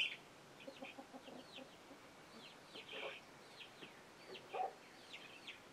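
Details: Chickens with young chicks, which scramble when an alert sound is given. Quiet, high, curved peeping chirps repeat throughout, mixed with short low clucks, with a louder burst near three seconds and another near four and a half.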